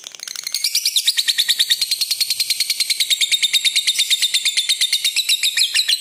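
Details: Lutino red-eyed lovebird giving a long ngekek trill, suited as a lure and tutor for other lovebirds: a fast, unbroken, high rattling trill of sharp pulses that swells slightly and holds steady for the whole stretch, with no other sounds.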